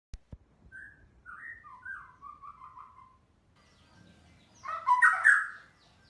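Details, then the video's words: White-rumped shama in lively, full song: a run of soft whistled and slurred phrases, then a quiet gap, then a louder burst of rich warbled notes near the end. "murai batu gacor"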